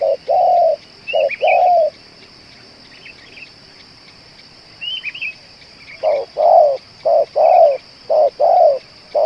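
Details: A spotted dove valued as a two-hour caller for luring gives paired low coos, pauses while small birds chirp high and thin, then resumes a rapid run of short-long coos.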